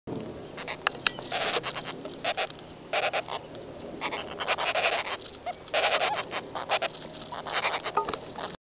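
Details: Northern Flicker nestlings, featherless and red-grey, in a tree-hole nest in a cypress in Bolinas, California, give raspy, buzzing churring bursts, each under a second, in quick irregular runs over a soft, steady background hiss; heard louder in person.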